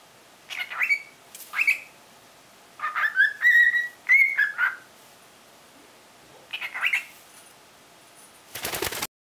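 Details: Three-month-old cockatiel chattering while spreading its wings: short bursts of whistled, speech-like syllables in several groups with pauses between, some notes rising and falling, ending in a brief rustling noise.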